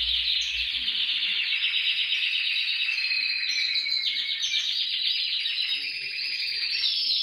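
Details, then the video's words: Canary singing, meant to prompt other canaries to sing. A continuous high, dense trill holds at a steady loudness, with short brighter notes breaking in now and then. "TU CANARIO CANTARÁ CON ÉSTE VÍDEO | CANTO CANARIOS"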